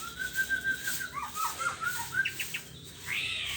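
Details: White-rumped shama singing in the morning: a level whistled note, then a run of short downslurred whistles and a final higher, buzzier phrase, over faint steady background hiss.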